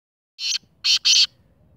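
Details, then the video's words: Black francolin, known locally as kala teetar, giving a short harsh grating call: three rasping bursts, the last two loud and close together, then silence. "1 minte 10 awaz Speeder Kala Teetar"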